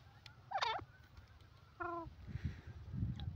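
A francolin gives two brief, harsh notes: a rising-and-falling squawk, then a flatter, nasal tone about a second later. Low rumbling noise runs underneath.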